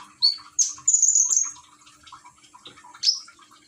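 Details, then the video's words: Common iora kept in a cage in Gresik, East Java, Indonesia, encouraged to sing by trickling water sounds. A few loud high whistles, one drawn-out sustained whistled note, then soft twittering and another sharp rising whistle. "Burung konin rajin bunyi dengan terapi gemercik air"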